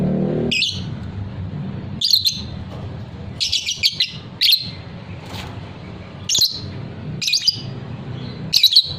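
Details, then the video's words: Caged fighter lovebird recorded for long-trilling ngekek song; bursts of harsh high chirps, some paired or in short strings, spaced irregularly, with a low droning hum beneath. "suara lovebird paud figter"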